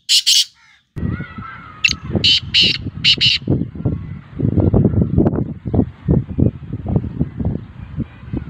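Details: Black francolin kept as a bird for sale, giving its call: a short harsh burst, then a rhythmic run of three to four grating notes, over steady low rumbling background noise.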